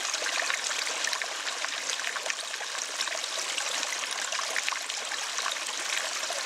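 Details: Continuous hiss of running, trickling water with no animal calls.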